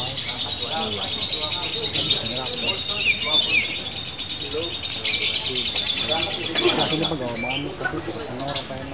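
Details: High, harsh, fast-chattering song from a female fighter lovebird, running continuously with occasional sharp squeaks; other softer bird chirps sound lower down.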